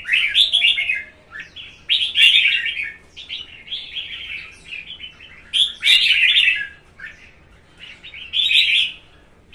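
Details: Competition-singing caged Red-whiskered Bulbul, a 'cóc' of one and a half seasons, jumping with vigour: loud rich chirruping phrases about every two seconds, each a rapid jumble of warbled notes.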